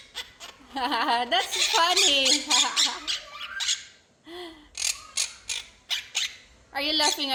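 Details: Pet quaker parrot raised by a family, prompted to laugh, giving wavering harmonic chatter and squawks mixed with a woman's speech and laughter in a small room, then short bursts of squawks.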